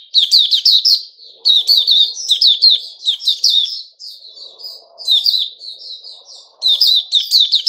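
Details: Male sooty-headed bulbul singing on 10 July 2021, lively clusters of bright chirps alternating with softer warbling, with a faint low murmur in the background.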